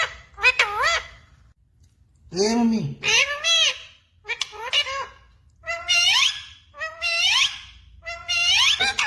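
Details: A pet parrot talking indoors, repeating words such as mummy, radhe radhe and sita ram: short, nasal, harmonic-rich voiced bursts with wavering pitch, separated by brief pauses, in a small room.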